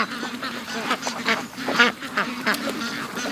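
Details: Flock of domestic ducks released from the pen after a delayed morning start, heading for the lake; busy, somewhat softer chatter of overlapping nasal quacks, steady throughout.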